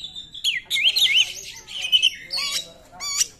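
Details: Oriental magpie-robin singing loudly, used as a lure to provoke other magpie-robins into singing; varied whistled and warbled phrases in rapid succession, with sharp rising and falling sweeps and bright high notes near the end.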